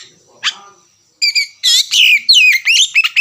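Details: Oriental magpie-robin singing as a trigger (lure) recording, starting into ngerewek-style chattering: one brief rising note, a pause, then dense bursts of harsh, buzzy warbles laced with sweeping whistled slurs in rapid succession.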